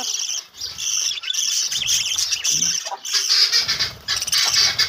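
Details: Many budgies in a colony keep up a bright, unbroken twittering, high-pitched chirps and trills overlapping, with a brief lull early on and faint low background noise.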